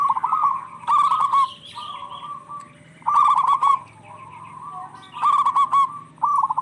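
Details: Local zebra doves singing back and forth, used as a lure for stressed birds: short trilled coo phrases arrive in clusters about every two seconds, separated by quieter gaps with faint calls.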